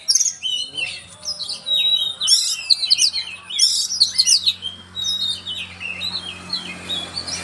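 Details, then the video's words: Oriental magpie-robin giving a lively, varied song of clear whistles, slurred rising and falling notes and quick chattering phrases. It sings almost without a break, over a faint steady hum in the background. "burung Kacer gacor"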